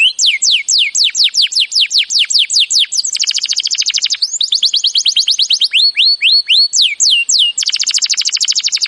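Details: Master song of a canary, played to trigger singing in silent birds: a series of sweeping downward whistles, then fast buzzy trills and more swooping notes, alternating with dense rapid rolls throughout.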